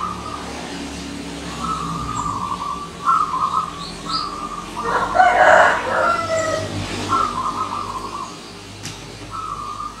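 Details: Local wild zebra dove singing in the morning: short, level cooing phrases in a mid pitch repeat through the recording, broken midway by a loud rooster crowing, with steady low background hum.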